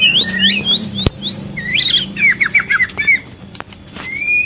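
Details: Breeding-condition female white-rumped shama feeding its chick and luring males: a quick series of varied whistled slurs, some rising and some falling, then short choppy notes and a final long rising whistle, with sharp clicks and a faint low hum.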